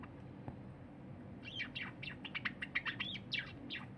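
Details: Cinnamon Java sparrow, pet, song from 23 January 2021 while a silver companion eats; after a quiet start, a rapid string of looping, slurred chirps and clicks runs to the end.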